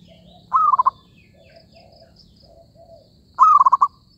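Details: Zebra dove calling as a trapping lure: two brief rapid rolling phrases of five or six clipped cooing notes, about three seconds apart, with faint whistled notes from other birds in between.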